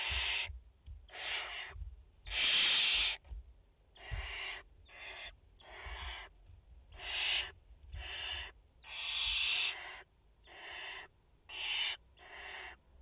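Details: Barn owls at a nest in France, a mother and four chicks, 30 August 2021; a rapid run of about eleven rasping, hissing bursts, one louder and harsher near the start, separated by short gaps with low background rumble.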